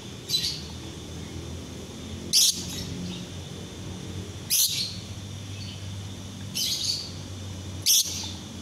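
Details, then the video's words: Masteran training song from a lovebird in daytime: five strident, high-pitched chirp bursts spaced roughly every two seconds, each brief and buzzy, against a low steady background hum. "Masteran lovebird siang hari"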